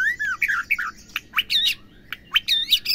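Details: Female white-rumped shama calling, a sound used to stir males into singing. The clip holds a fast run of slurred, bending whistles and harsh squawky notes, some sweeping sharply upward, given in short bursts with brief pauses.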